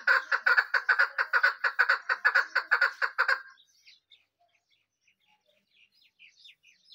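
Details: Male and female desi teetar partridge calling while fighting: a rapid run of loud, harsh, rasping notes, about two each second for over three seconds. The calls then stop abruptly, leaving only faint scattered chirps.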